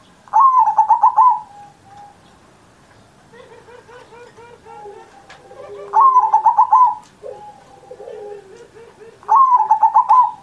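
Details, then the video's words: Zebra dove performing on Indonesia's 79th Independence Day, meant to set off other pet doves: three loud, pulsing trilled coos roughly every four seconds, with soft low coos between them in a quiet setting. "Perkutut Masteran Manggung Gacor Mancing Burung Lain"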